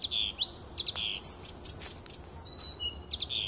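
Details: A nightingale sings in woodland close to a house on 30 June 2015, pouring out dense rattling clicks, whistled slurs and high thin tones, then clean steady notes near the end.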